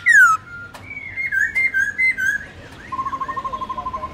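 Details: Wild-style song (giọng rừng) of a Black-throated laughingthrush, a recording for teaching young birds: a bright descending whistle, drawn-out wavering notes, then a steady trill of quick, even pulses.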